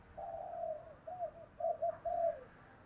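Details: Decoy spotted dove with a 'thổ đồng' voice, calling to draw wild doves in. Quieter and more distant: a drawn-out coo, then a few shorter coos, over steady background hiss.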